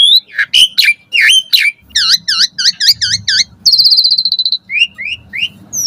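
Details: Morning song of an Asian pied starling, used as a training recording for caged birds: quick whistles, six repeated V-shaped notes, a fast stuttering trill, then three short rising notes.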